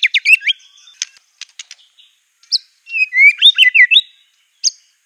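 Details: Aggressive song of a white-rumped shama filled with canary, cililin, cungkok and lovebird mimicry: quick descending whistles, scattered clicks and chips, then a loud cluster of swooping whistled slurs and a final bright note.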